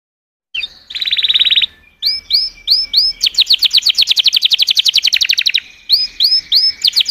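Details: Canary song opening with a buzzy fast trill, followed by looping upswept whistles and a long rapid rolling series of bright notes, with more slurred whistles closing; faint low background rumble.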